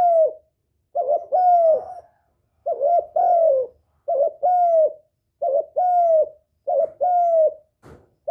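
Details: Spotted dove calling to lure and provoke males, used as a trapping lure: mellow, low hollow coos in short phrases of two to three notes, the last note longer and slightly falling, repeated about six times in quick succession indoors.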